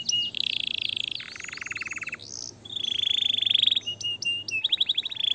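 An Atlantic canary sings a fast, varied song of high rolling trills, buzzy runs and sharp chips, shifting phrases every second or so.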